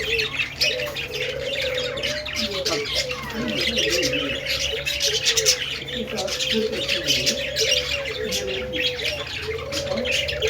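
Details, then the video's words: Budgerigar song: continuous rapid chatter of high twittering and squeaky notes, with a lower sliding warble repeated throughout and a constant low hum in the background. "Budgie sounds Budgie singing"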